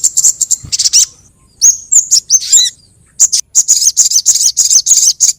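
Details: Crimson sunbird lure call: high chirp bursts, a short pause, sliding whistled notes with a lower downslur, then steady, evenly spaced high, buzzy chips.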